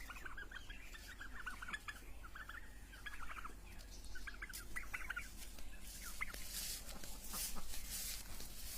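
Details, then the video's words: Turkeys give rapid, bubbling clucks and gobble-like rattles in bursts over the first five seconds, then hissing noise and rustling take over. "Turkey bird real sound"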